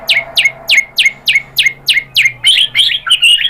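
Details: White-rumped shama (murai batu) singing excitedly as a pancingan lure recording: a steady series of about nine sharp, downward-slurred whistled notes, roughly three per second, ending in harsher, buzzy chattering notes.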